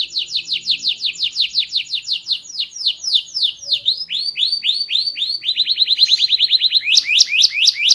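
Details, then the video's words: Canary with a small body and a loud, varied, melodious song: long series of rapid downward-sweeping notes, slowing into rising whistles, then a very fast trill and sharp loud notes. "Burung Kenari Gacor, Body Kecil Suara Keras Merdu Bervariasi"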